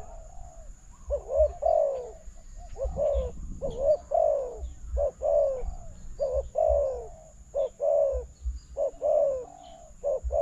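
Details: Spotted dove calling to a decoy during a bird-trapping contest: a steady series of low, hollow coos with a slight downward bend, repeated roughly twice a minute's pace per phrase, with a faint constant high electronic whine.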